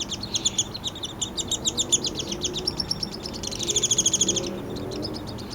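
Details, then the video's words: A Downy Woodpecker nestling being fed by its father in a yard in Lethbridge, Alberta, Canada, in July gives rapid, high, buzzy chattering begging notes in quick bursts, rising to an intense trill, over a low background hum. "Downy Nestling Noise (while being fed by his father-bird)"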